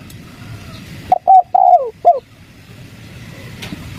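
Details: Single spotted dove phrase in the 'kuk 3' lure style used to make wild doves respond: two short coos, a longer sliding coo dropping in pitch, then one last short note.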